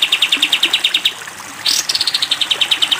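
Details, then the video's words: High, rapid-fire notes from a sooty-headed bulbul in the long 'tembak' style on a cage-bird training recording, broken by a quick rising swoop before the fast chipping series resumes. "masteran kapas tembak panjang"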